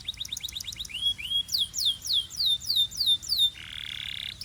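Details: Belgian canary song meant to stimulate females and warm up males: quick rising chips accelerating into long sweeping downslurred whistles, ending in a harsh buzzy rattle.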